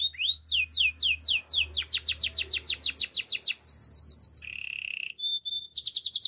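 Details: Canary pouring out rapid descending whistles, roughly five per second, building into a dense series, then a short low buzzy trill and a return to high whistled notes, with a faint low hum.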